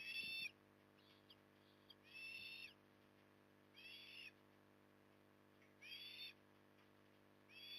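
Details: Osprey at Port Lincoln, Australia, on 9 October 2020, during evening feeding: high, harmonic whistled bursts about half a second long, repeated roughly every one and a half to two seconds over a steady low hum.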